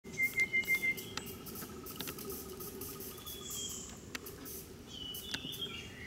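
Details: Rufous-capped babbler that has just taken a worm from a dry stem, Daxueshan National Park, Taichung, Taiwan, 30 January 2016, gives a quick run of five even, piping notes on one pitch over a steady insect hiss.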